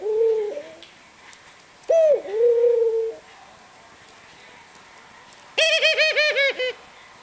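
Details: Burt, a 19-year-old pet ringneck (Barbary) dove, bows and gives soft, low coos indoors: a short coo, then a longer dipping one, then a rapid rolling run of about six pulses, with the room otherwise quiet.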